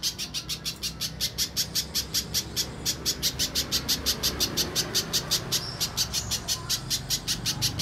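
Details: Little spiderhunter lure call to provoke singing: about forty crisp, high-pitched chip notes in a fast, regular run, slightly louder after the opening second.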